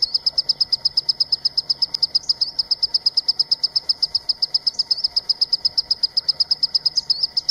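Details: Green-tailed sunbird giving a rapid run of high, thin, evenly pitched chips, about five per second throughout, over a faint steady buzz in the background.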